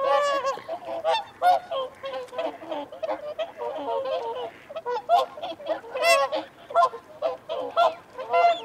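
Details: Whooper swans giving feeding and territorial calls, with wigeon and mute swans also present: a dense flock chorus of nasal, trumpeting honks, many overlapping and rising or falling, with brief pauses and constant layered calling throughout.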